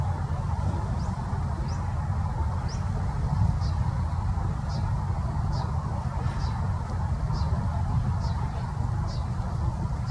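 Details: Kentish plover calling by the sea on 26 March 2020: short high thin notes repeated about every half second, over steady low surf and wind roar.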